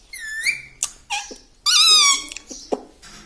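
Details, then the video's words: Talking parrot producing a level whistled note, a few clipped sounds, then a longer buzzy, harmonic utterance followed by soft clicks, heard indoors. "Talking Parrot"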